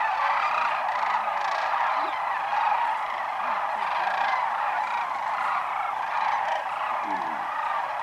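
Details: Sandhill cranes by the thousands at Whitewater Draw, southeastern Arizona, January 1, 2012, flying in wave after wave at midday after feeding in fields; a loud, sustained chorus of trilling, trumpeting cries.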